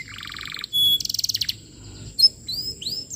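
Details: Canary singing to train young canaries: a low buzzy trill, a sharp pure whistle, a rapid pulsed rattle, then scattered rising and falling whistled notes.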